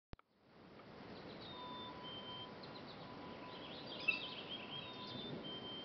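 A Black-capped Chickadee gives a faint, soft two-note fee-bee whistle, the second note lower, over a steady background hiss and a low hum.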